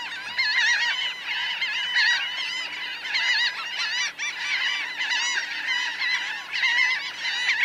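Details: Large flock of about 1000 laughing gulls, on the ground and in flight, recorded close up: a dense, continuous chorus of overlapping nasal, arched, harmonic calls that swell and ebb every second or two, with no other sounds standing out.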